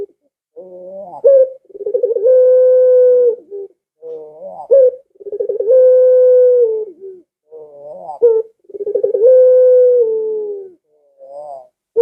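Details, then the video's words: Barbary dove repeating its call to lure pet doves into answering: three cycles, each a rising wavering note and accented coo, then bubbling pulses and a long level hollow tone, roughly every four seconds. "Suara Burung Puter Ini Memikat Puter Anda Dirumah Sehingga Ikut Bunyi"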